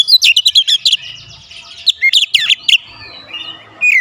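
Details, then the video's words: Oriental magpie-robin kept at home, singing constantly: quick series of sharp whistled chirps, then slurred, dipping whistles, a brief lull with soft background noise, and a final note. "Kacer rumahan selalu bunyi gacor"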